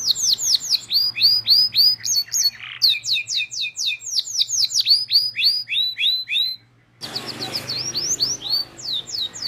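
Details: Canary lure song for young canaries learning to sing: a long run of quick descending whistled notes, brief pauses, a short silent gap, then the swooping notes resume.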